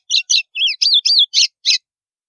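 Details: Snapping 'estalo' song of a white-throated seedeater, sung to warm up other birds: seven quick, loud phrases mixing harsh clicks with slurred whistled swoops, each lasting a fraction of a second, in a clean quiet setting.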